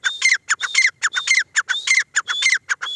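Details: Grey francolin, a female, giving a fast harsh repeated call, roughly two notes a second, alternating short sharp clicks with longer grating phrases that carry a thin whistled element.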